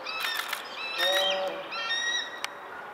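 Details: Female bald eagle at Centerport, 6 May 2019, still calling during a confrontation with a juvenile eagle near her eaglets; clustered high piping whistles with chattering notes and a brief flutter of wing sounds.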